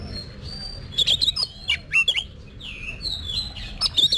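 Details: Oriental magpie-robin in training for singing competitions, giving clear whistled notes that bend up and down, interspersed with harsh clicks and short squawky phrases over a faint low hum.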